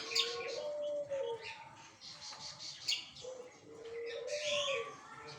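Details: Lively flycatcher song made of two drawn-out low whistles, each rising slightly then falling away, with scattered bright chirps and twitters above them.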